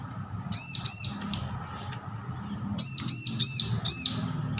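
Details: Bar-winged prinia fledgling, newly off hand-feeding, rehearsing song: two quick pairs of bright, arched high notes, a pause, then four rapid ringing notes, with a faint low rumble behind.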